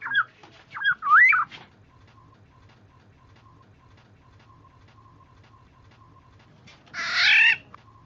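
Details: Oriole recording used as a bird lure: a fluid, looping whistled phrase, then about five seconds later a harsh, nasal, drawn-out squawk, over a faint steady tone.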